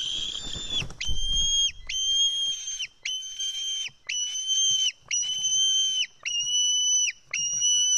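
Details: White-tailed eagle chick, Estonian nest, July 2018, begging loudly as an adult feeds it fish; a brief rustling noise at the start, then seven high sustained screeching whistles, each ending in a downward slur, about once a second.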